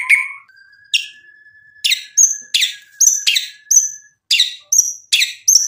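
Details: Singing white-rumped shama used to provoke a rival: a faint sustained whistle under a regular string of sharp descending chip-and-whistle notes, about two per second.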